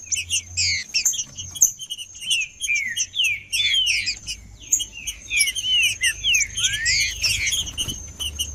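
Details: Trinca-ferro, a male green-winged saltator, sings in 'macheando' style to excite other birds. Dense chatter of chirps with repeated downslurred whistles and one rising note near the end, over a continuous high tone.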